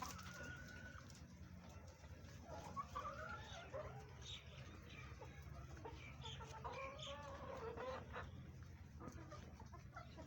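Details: Farm chickens eating green vegetables make overlapping soft clucks and brief tonal murmurs, rising and falling, from several birds. A constant low hum and scattered clicking noises run underneath.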